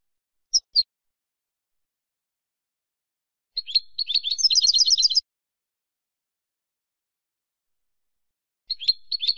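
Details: Spanish-style European goldfinch song: two short high chirps, a pause, then a fast jingling burst of tinkling, twittering notes lasting under two seconds, and a new phrase starting near the end, on an otherwise silent background.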